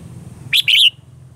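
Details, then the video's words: Morning song of a red-whiskered bulbul with a mature forest voice, recorded as a lure for training birds. Two bright whistled notes, the second longer and sliding higher, over a faint low hum. "Luyện giọng cho chào mào hót sáng, chào mào hót giọng già rừng hay tuyệt"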